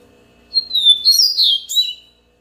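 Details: Yellow-bellied seedeater singing a loud, clear phrase: a long, slightly falling whistle, then a quick run of sliding, twittering high notes, about one and a half seconds in all, over a quiet background.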